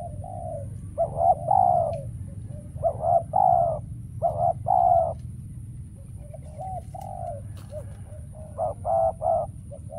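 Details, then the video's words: Spotted dove decoy used in trapping, calling though wild doves are scarce: clusters of hollow coos in twos and threes, a brief fade, then quieter coos returning, with a couple of sharp clicks and low steady noise. "Bẫy Chim Cu Gáy , Cu Gáy Bổi Giờ Hiếm Quá Mồi Kêu Vậy Mà Chả Thấy"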